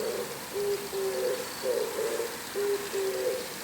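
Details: An Oriental turtle dove calls in the morning from atop a house antenna, giving low, hoarse cooing notes in rhythmic groups, repeating the phrase about every second, over a faint background hiss; two calling bouts are joined.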